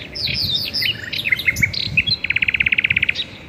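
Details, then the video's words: Birds singing in a garden: a jumble of varied high chirps and slurred notes, ending in a rapid, evenly spaced trill of about twelve sharp notes. "garden birds singing sounds | relaxing bird chirping video"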